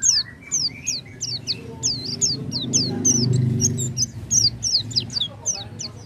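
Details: Oriental white-eye song meant to start a silent bird singing: a quick, uneven series of high, thin falling and twisting notes, about three per second, over a steady low hum and rumble.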